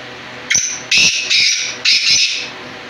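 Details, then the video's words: Black francolin call: a brief sharp opening note followed by three drawn-out, hoarse, buzzy syllables, delivered in a steady grating rhythm against a low hum. "kala teetar ki awaz"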